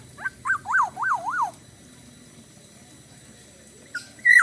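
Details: Black-naped oriole singing energetically in the Bali style: a run of four or five fluty, up-and-down whistled notes in quick rhythm, then a long quiet gap before a loud, sharp whistled phrase begins.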